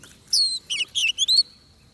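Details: Oriental magpie-robin in a trapping setting, fighting-song style: one strong descending whistle, then three quick chattering phrases and a rising whistle held as a thin steady tone.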